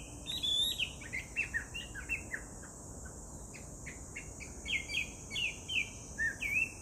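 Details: Chinese hwamei singing, filmed 18 July 2019: rich, varied whistled phrases with slurred rising and falling notes delivered in quick, irregular runs, fairly distant and soft, over a steady high insect drone.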